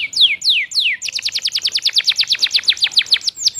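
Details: Canary song, varied and lively: three long, sweeping downward whistles, then a dense, fast trill of bright, clipped notes rolling on to the end.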